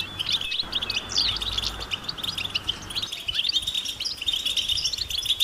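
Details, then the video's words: Many European goldfinches twittering in natural surroundings, calls intended to bring silent males out into song: an unbroken stream of high, bright chirps and short trills from several birds, with a low hum beneath. "بتبتة جماعية رهيبة للحسون وسط الطبيعة"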